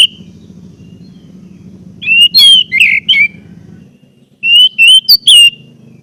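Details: Orange-headed thrush song used to stimulate caged birds to sing: after low rumbling noise, two bursts of clear whistled notes and warbles, each lasting about a second.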